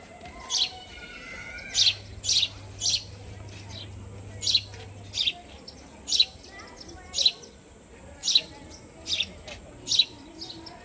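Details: A sparrow indoors at home chirps repeatedly, about a dozen crisp, high, clipped notes at uneven intervals, sometimes in quick pairs, with a steady faint electrical hum behind them.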